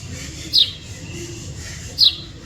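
A small bird gives two brief, high, slightly falling chirps about a second and a half apart over a low background hum.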